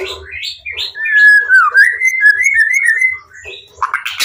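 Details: White-rumped shama singing in captivity to draw replies from rival shamas: a rich, varied run of whistled and warbled notes sliding up and down, with a rapid chattering flourish near the end.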